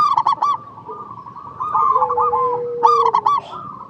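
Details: Local Indonesian zebra dove song, used as a lure to set other doves singing: two bursts of rapid clipped hooked coos with a softer rolling trill between them and a steady low tone running alongside.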